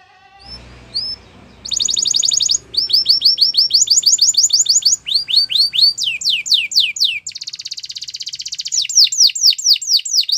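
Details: Canary singing for training: after a faint low start, loud rapid series of high whistled notes and buzzy rolls take over, each tour repeating one note many times before changing to a new sweeping figure.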